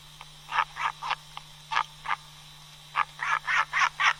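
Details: Albatross, a seabird that nests on uninhabited ocean islands, giving short harsh nasal notes in irregular bursts, quickening to a rapid run at the end, with a constant low electrical hum beneath.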